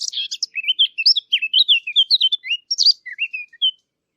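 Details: Eurasian blackcap song recorded for hunting callers: a fast run of short, varied warbled notes and slurred whistles, sliding up and down in a lively phrase lasting about four seconds, clean background with no other sounds.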